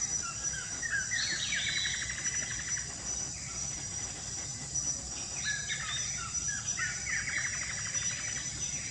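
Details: A Lesser kiskadee beside water gives harsh, buzzy calls in two short bursts, over a steady high insect drone and low background hum; a blackish antbird is also heard.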